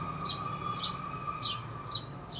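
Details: A house sparrow gives short, bright chirps, five in just over two seconds and unevenly spaced, over a steady low mechanical hum; the owner says it is calling for its companion that went away.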